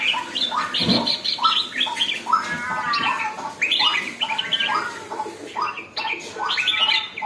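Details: Bulbul, named as red-whiskered, newly getting lively, mixing rising chirps and raspier squawky phrases in an uneven rhythm; a low knock sounds near the start.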